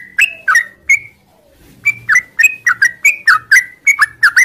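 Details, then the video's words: Morning song of a yellow-vented bulbul: three clear whistled notes, a brief pause, then a rhythmic series of bright slurred whistles repeated about four times a second. "suara trucuk ngropel panjang di pagi hari"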